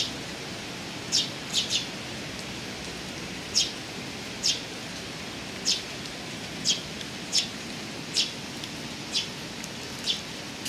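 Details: Eurasian tree sparrow calling on 6 July 2018, repeating short high chirps roughly every half second to second, some doubled, with steady broadband hiss underneath.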